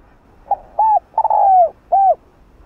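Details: A spotted dove cooing at midday gives a short run of soft, low, hollow coos, four notes over two seconds, the third long and slightly falling.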